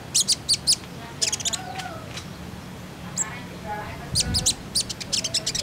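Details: Common iora lure sound for getting birds to start singing: bursts of quick high-pitched chirps separated by quieter gaps, with faint lower tonal sounds in the background.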